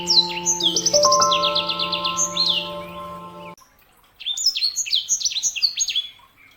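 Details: Caged canary hybrid (sanger) singing rapid high chirps and buzzy trills of repeated notes, broken by a pause, while steady low humming tones sound beneath the first half.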